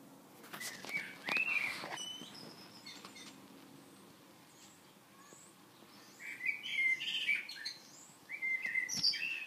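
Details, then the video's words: Common blackbird song: bursts of fluted whistled phrases near the start, then a quiet gap, then further rich warbling phrases with high twittery ends repeated toward the close; faint background noise. "Kos / Blackbird / turdus merula"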